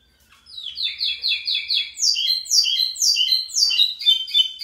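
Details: Local pico plat (lined seedeater) in strong song: after a quiet start, a loud rapid series of sharply descending, slurred high notes, repeated roughly three to four per second, rising in pitch midway and ending in quick buzzy trills.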